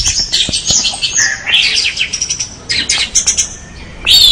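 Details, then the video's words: Dense, rambling orange-headed thrush song, a fast stream of high twittering, scratchy notes and slurred whistles, briefly dropping off before a final loud phrase. "anis merah gacor"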